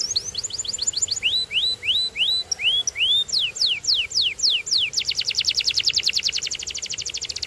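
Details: Singing canary delivering a varied strophe: quick chips, a row of rising whistled notes about three per second, then descending slurs and finally a very rapid, rolling high trill.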